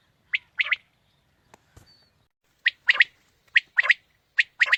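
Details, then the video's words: Quail lure call for morning hunting: sharp, high triple-note phrases, a lone note then a quick double, repeated about once a second with a short gap and faint clicks between. "Batair ki new Awazay| Quail Calling 2020 | Batair Ki Awaz suba ki shikar Ki liye|Saaf Batair Ki Awaz"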